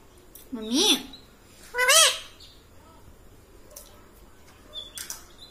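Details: Pet talking parrot gives two bright, rising-falling, speech-like syllables about a second apart, then faint clicks and quiet.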